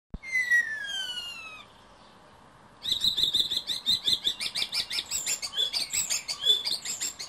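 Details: A male common starling courting at a nest box on a Berlin balcony sings a long, falling whistle, a short pause, then a fast, dense run of clicks and chattering rattles, several bursts per second.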